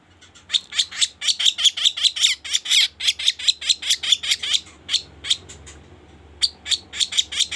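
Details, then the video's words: Sooty-headed bulbul lure sound for bird trapping: a long, dense run of harsh, scratchy chattering notes at a quick steady pace, then a brief pause before another burst, with a low hum beneath. "Suara pikat burung kaso kaso gacor"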